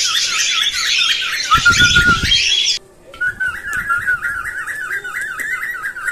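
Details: Stimulating sound for breeding cockatiels and teaching them to sing: noisy squawking chatter with wavy whistles and low bursts, a short silence, then a clear run of rapid warbled whistled notes.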